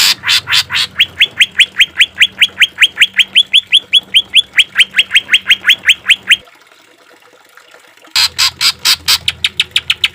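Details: Green leafbird song used for training and therapy of caged birds: harsh rasps lead into a rapid train of rising whistles about two and a half per second, a brief near-silent gap, then harsh buzzy notes resume.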